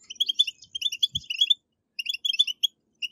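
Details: European goldfinch singing betbetat phrases, played to prompt captive birds to sing: a quick, chattering burst of sharp high notes, a short silence, then another twittering burst; one low knock in the middle.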